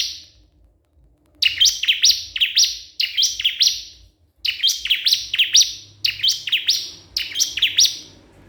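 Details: Rival-calling bar-winged prinia repeats loud, high chirping phrases, several quick slurred notes per burst, starting after about a second of quiet and continuing in closely spaced groups.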